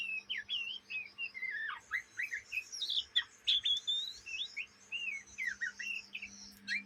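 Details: Young Oriental magpie-robin, an Indonesian kept bird, chattering its immature song: a continuous flow of slurred whistles, falling sweeps and scratchy rasps, loud and busy throughout with barely a pause.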